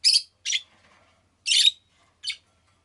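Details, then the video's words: Rosy-faced lovebird, kept as a pet, giving four quick shrill, scratchy chirps over under three seconds, the third longest and harshest. "Lovebird Chirping Sounds"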